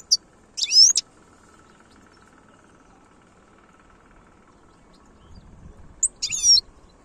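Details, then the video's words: European goldfinch singing in the style locally called khalawi in Algeria: two short bursts of high, twittering notes about five seconds apart, with a steady faint hum and low rumble underneath. "تغريد الحسون خلوي chont chardonneret"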